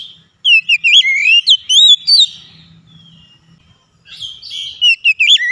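An oriental magpie-robin gives rich, varied whistled song in two bursts of quick rising and falling phrases, with a faint low hum beneath.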